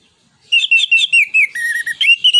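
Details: Orange-headed thrush, a kept songbird, singing loud clear whistled phrases that slide between high and lower notes in quick bursts, used as a lure song to stimulate other birds.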